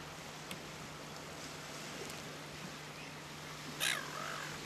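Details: A Caspian tern at Tararu, Coromandel, New Zealand gives one loud, harsh, rasping croak near the end, after a few faint clicks, over a steady low hum and hiss.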